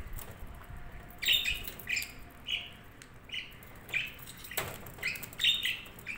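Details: Budgerigars trading short warbling chirps and squeaks, spaced irregularly, with one brief rustle in the middle.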